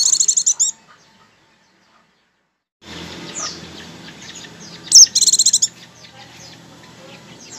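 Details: Oriental white-eye (pleci) singing ngecir, used to coax others into song: a quick high trill at the start, a pause of near silence, then a sharp note leading into another fast shrill pulsed burst amid faint chirps.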